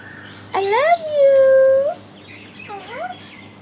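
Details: Young pet Alexandrine parakeet, six months old, speaking words such as "I love you". One long voiced phrase rises sharply and then holds steady, followed by a shorter, quieter rising utterance over a low hum.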